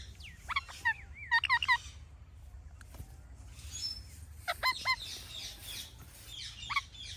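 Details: Ringneck parrot giving natural chirping calls: quick clusters of sharp, harmonic chirps that bend up and down, some looping, in bursts near the start and again later, over a low background hum.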